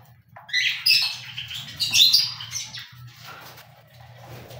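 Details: Cockatiel-type harsh, raspy squawks clustered in the first two seconds, followed by quieter scattered chatter and a low background hum.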